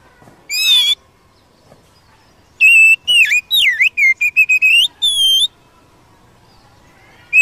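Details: Wild Oriental magpie-robin in full song to rouse a caged bird: a short whistled note, a pause, then a rapid run of varied sweeping and looping whistles ending in a held clear note, with quiet background between phrases.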